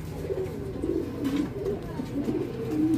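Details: Archangel pigeons, a rare ornamental breed in Bangladesh, coo in a small enclosed space; soft, deep, warbling phrases rise and fall continuously, overlapping one another above a constant low drone.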